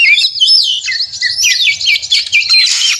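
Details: Fighting song of an Oriental magpie-robin, played to excite other magpie-robins into singing and opening their tails; quick looping whistles and chattering trills in an unbroken three-second flurry.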